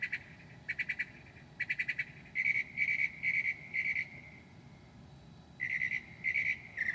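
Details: Northern mockingbird at 2 a.m. on 7/9/2008, mimicking other birds: groups of harsh, rattling pulses alternate with longer buzzy notes, repeated in short clusters with brief pauses.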